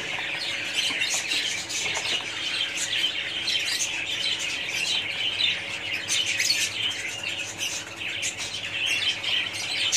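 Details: Colony of budgerigars giving a constant overlapping chatter of high chirps, trills and squeaky squawks, fairly even in loudness; a soft hum in the background.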